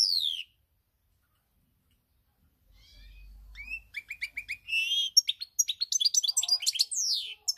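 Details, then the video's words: European goldfinch, a pied bird, singing on 8 February 2020: a falling whistle, a long silence, then a quickening run of twittering chirps, buzzy trills and slurred sweeping notes. "GOLDFINCH SONG"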